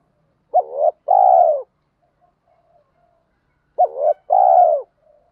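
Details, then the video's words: Spotted dove cooing, a recording of male and female birds used to stimulate and train decoy birds: two low phrases about three seconds apart, each a short wavering double note followed by a longer, smooth, slightly falling coo, near silence between. "tiếng chim cu gáy kích bổi và tập mồi rất nhanh nổi hiệu quả cao"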